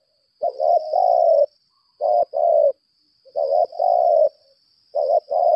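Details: Spotted dove kept as a decoy, 'lambung kuk' voice, calling in challenge with repeated phrases of quick double notes running into long buzzy coos, about four phrases in under six seconds, over a steady high whine.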